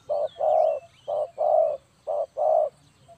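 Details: Trapping-lure recording of a spotted dove: three pairs of deep, soft coos, each a quick short note followed by a longer swelling one. Faint high bird twitters and a low hum lie underneath.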